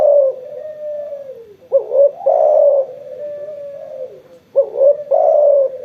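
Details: A spotted dove coos eagerly after sunbathing, with a long level hum-like note, then a quick rising double coo and a loud, full final coo, repeated twice.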